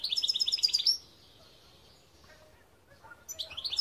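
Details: European goldfinch song from 2021: about a second of rapid, high, liquid twittering, then a quiet gap, then another short run of bright chirps at the end.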